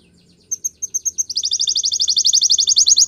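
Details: Canary repeating crisp high double notes at an even pace, then speeding up into a fast, continuous pulsing trill that grows louder to the end.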